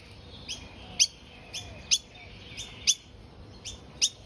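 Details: Wild noisy miner fledgling that left the nest early, found in a backyard and still fed by its parents, hopping about in a tree and chirping: short, high chirps roughly every half to one second over steady background hiss.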